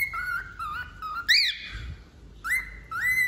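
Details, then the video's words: Wild-type male cockatiel, moulting, singing indoors: clear whistled notes, some level and some sharply rising, near two kilohertz, with short gaps between phrases and a bright upward-sweeping note in the middle. "Calopsita Macho Silvestre Cantando"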